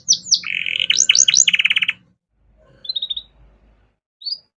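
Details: Canary master song for training songbirds, a short burst of sweeping whistles and a rapid buzzy trill lasting two seconds, followed by near silence with a few faint distant trill notes.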